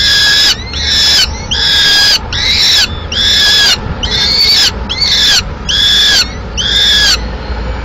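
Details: A female peregrine falcon in Madrid, arriving mid-morning with pigeon remains as food, gives harsh, rasping wails, about ten in a row, each under a second and coming in a steady run, over a faint low rumble.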